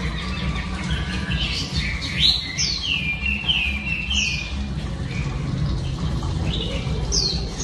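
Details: Oriental Magpie Robin female giving song to excite males: a run of high, falling whistled slurs and chirps heard over a steady low rumble like passing traffic, with a final sharp whistle near the end.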